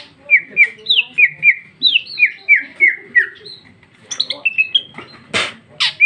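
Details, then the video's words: Female greater green leafbird in full, open song packed with rich varied phrases: a fast run of clear whistled notes, each a short slurred upsweep repeated about three times a second, then bright chirps and loud harsh rasping bursts near the end. "Cucak ijo betina paling gacor ngeplong isian super mewah"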